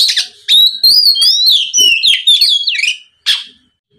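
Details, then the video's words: Oriental magpie-robin lure song for provoking rival magpie-robins: a run of bright wavering whistles and quick chips lasting under three seconds, followed by a single harsh burst. "SUARA PIKAT BURUNG KACER NGEPLONG DIJAMIN BIKIN KACER LAWAN LEKAS BUNYI NYAUT & GACOR"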